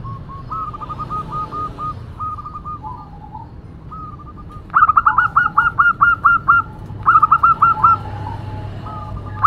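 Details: Local female zebra dove giving noisy cooing: a fast rolling series of short coos, fainter at first, then loud, sharply pulsed bursts of repeated notes in the second half, with low hum underneath.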